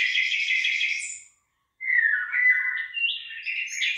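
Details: Rice-field birdsong at heading time: a buzzy trilled phrase, a short pause, then slurred whistled notes rising into higher chirps.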